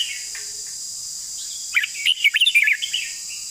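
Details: Red-whiskered bulbul giving a burst of rapid warbled, chortling notes midway, set against a constant high-pitched insect drone.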